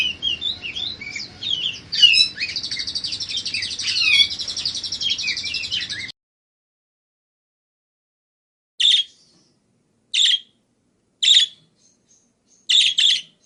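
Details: Budgerigar song used as a tutor recording for other birds: about six seconds of dense scratchy warbling and whistled slides, then silence broken by four isolated sharp chirps spaced roughly a second apart.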